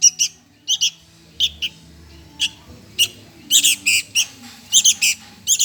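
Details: Begging sooty-headed bulbul chick asking for food: scattered short scratchy squawks, sparse at first, then denser doubled and tripled bursts toward the end, over a soft background hum.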